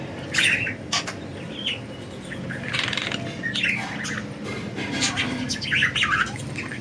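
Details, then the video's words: Budgerigars flying free give short bright chirps in scattered bursts, some rising and falling, along with sharp broadband clicks and flutters and a steady low background noise. "Budgies Enjoying Freedom and Chirping"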